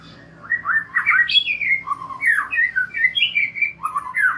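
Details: White-rumped shama song used as a lure to make young and wild-caught birds sing openly: a fast run of rich whistled phrases, rising and falling notes jumping between low and high pitches, with a faint hum underneath.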